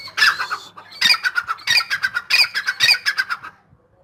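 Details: Excited Grey francolin (dakhni teetar) delivering a near-continuous run of loud, hoarse, pulsed phrases, the rapid grating notes grouped in rhythmic bursts about half a second apart, fading out at the end.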